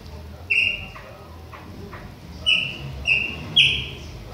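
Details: Chopi blackbird, a young bird from Bahia, Brazil, in autumn; bright, clear whistled notes, sharply attacked then held briefly, four in about four seconds, over quiet background hum.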